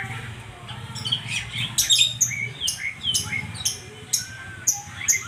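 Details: Busy song of a white-rumped shama, a rapid run of sharp chips, whistles and harsh notes tumbling over each other, with a low hum beneath.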